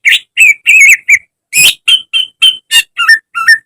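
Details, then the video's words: Greater green leafbird in a cage, from a training recording: varied whistled phrases, a harsh rasping note in the middle, and closing notes that rise and fall like a warble. "Masteran cucak ijo agar cepat rajin bunyi~gacor setiap hari"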